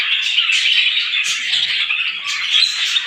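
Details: Short stretch of morning birdsong from a flock of small birds, shrill overlapping chirps with a couple of louder squeaky notes standing out.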